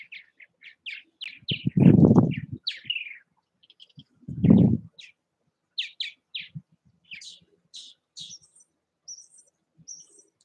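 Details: Purple martins at their nest houses in Southwest Missouri give scattered, short chirps and gurgling notes, high and quick, while two loud low thumping bursts of wind or handling noise break in.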